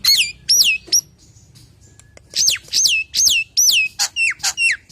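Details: Common hill myna singing to lure others of its kind: loud upslurred whistles, a quiet gap of soft clicks, then a run of strong arched whistles and shorter double notes.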